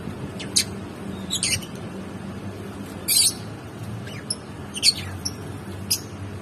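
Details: Lovebirds chirping: short sharp high squeaky notes in scattered bursts, a few clustered chirps then single brief tweets at irregular gaps, over a low steady background hum.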